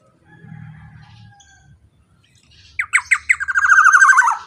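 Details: Black-naped oriole singing loudly, used as a lure for golden orioles: after a quiet low hum, a burst of sharp notes speeds into a dense, rolling trill that falls slightly at the end.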